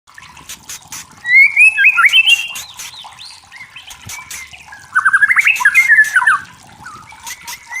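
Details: White-rumped shama singing in forest, described as clear natural sound: two bursts of rapid warbled and trilled phrases around mid-high pitch, separated by a pause, with faint background insect-like ticking.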